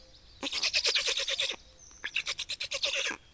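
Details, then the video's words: Black storks at an Estonian nest during feeding on 25 May 2019, giving two bursts of rapid, harsh, rasping pulses, about three per second, separated by a short pause. "Estonian Black Storks - Feeding"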